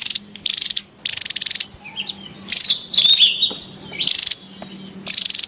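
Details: Rapid high rattles alternate with thin wavering whistles and buzzy trills as a wild Javan tesia calls noisily, with short quiet gaps between bursts.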